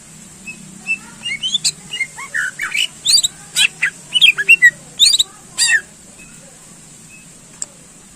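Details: Greater green leafbird, a contest bird, singing to excite rivals: a dense jumble of chattering, squawky notes and short whistles over about five seconds, then silence with one faint click.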